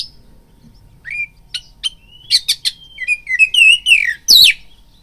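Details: Oriental magpie-robin singing a fighting lure: scattered clicks and a thin whistle building into a loud run of buzzy notes and wavering whistled slurs.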